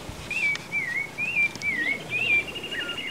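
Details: Creamy-bellied thrush by a clear, stony mountain stream west of Ascochinga, Córdoba, Argentina, 2020, giving a thin, high, wavering whistle that rises and falls in a steady two-second string, over soft outdoor background noise.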